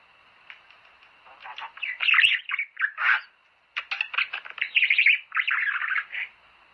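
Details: Budgerigar warbling song played to stimulate breeding: busy chattering bursts of clicks and short warbles, with a brief pause near the start and a short gap around three seconds.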